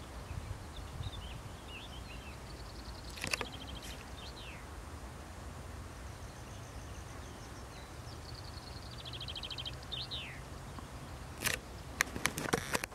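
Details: A corn bunting at Pegwell, 13 April 2015, in the morning, gives two faint jangling songs: a quickening stutter of ticks ending in a falling fizz, against steady wind rumble and a few bumps near the end.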